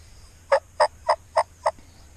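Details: Wild turkey in Iowa during a youth season spring hunt, answering and coming in toward hunters; five loud, evenly spaced harsh notes about a quarter second apart over just over a second, then quiet background.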